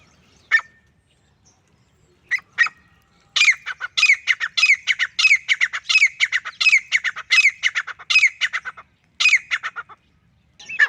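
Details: Male grey francolin calling alone: a few sharp introductory notes, then a fast run of loud, harsh, repeated squeaky phrases around two kilohertz, pulsing several times a second for about seven seconds.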